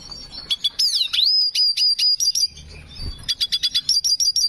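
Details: Hooded siskin (Spinus magellanicus) in breeding condition singing a rapid, high twittering song of short bright notes, several a second, with a swooping slurred whistle early on.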